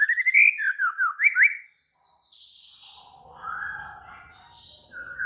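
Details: Aggressive, excited white-rumped shama: a loud zigzagging whistled phrase with sharp up-and-down slurs, a pause, then softer warbling and buzzy notes with low background noise.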